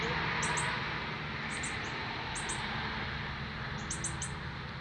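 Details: On its first day out of the nest in Canada, September 2020, a northern cardinal fledgling fed by its father gives short, high-pitched double and triple chirps about once a second, over a steady low hum.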